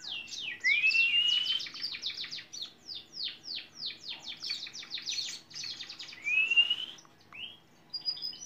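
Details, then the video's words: Canary song for long-duration songbird training: rapid high chirps and trills repeated several times a second, broken by two clear rising whistles and short pauses. "Masteran kenari durasi panjang"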